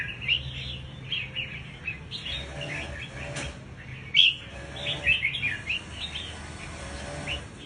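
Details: Scarlet-backed flowerpecker lure call, recorded at 1:50 on Saturday 13 November, apparently a male over six months old: thin, high, sharp chips and ticks scattered irregularly about once a second, over a low steady hum.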